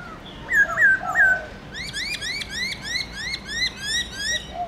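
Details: Caged black-throated laughingthrush singing many-noted forest-style song in the morning: three loud looping whistles over a low hum, followed by a long rapid series of rising chirps, about ten in a row.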